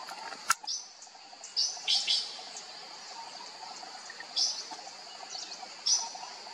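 Sri Lanka blue magpie giving short, harsh, rasping calls in a few scattered bursts over a steady high insect drone, with one sharp click early on.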